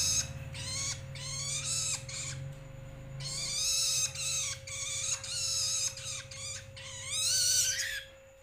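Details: Juvenile long-tailed shrike (toed, cendet, bentet) giving grating, nasal rasps in long runs, some rising slightly, with brief gaps between bursts, a continuous humming tone, and low rumbling noise early on.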